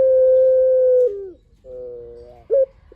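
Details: Lively spotted dove singing a long-voiced lure song to make other doves answer: one long, level, low coo slurring downward at its end, then a quieter hollow coo and a brief sharp note.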